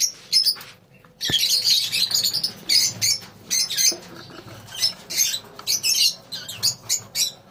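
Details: Lovebirds in a colony calling with high scratchy chirps and shrill squeaks in irregular bursts, a sharp knock near the first second, then steady chattering bouts through the rest.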